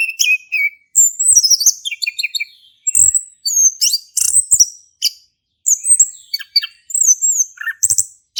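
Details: Ngeplong-style song of an actively singing male orange-headed thrush, used to prompt a silent thrush: long run of varied, very high whistles, trills and sharp chirps in quick phrases separated by short gaps.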